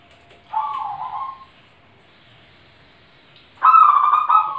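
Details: Zebra dove (perkutut) giving two short bursts of soft, rapidly pulsed cooing notes at a mid pitch, about three seconds apart, with quiet background between.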